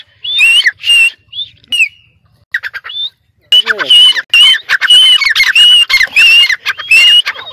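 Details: Caged Sindhi dakni francolin (teetar) on a perch in Sindh, Pakistan, calling loudly in harsh, squawking bursts with clear upward-sliding whistled notes, repeated in rapid runs after short pauses.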